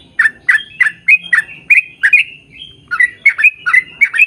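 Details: Lure recording of a yellow-vented bulbul singing hard in a long rolling phrase: quick liquid chirped notes rising and falling, clustered in pairs with a brief pause midway.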